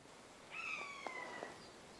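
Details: A Eurasian jay in late winter or early spring woodland mimics a buzzard: a single drawn-out, mewing whistle sliding slowly downward, about a second long, against a quiet background.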